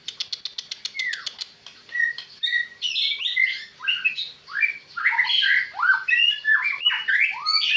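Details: White-rumped shama song: a quick series of clicks at the start, then varied whistled and buzzy phrases, rising and falling, delivered in a steady rich stream.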